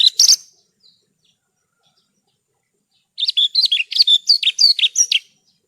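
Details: Horsfield's bush lark (branjangan) singing for masteran: a brief loud chirp burst, almost three seconds of silence, then a tumbling two-second warble of varied high whistled notes, some up-slurred.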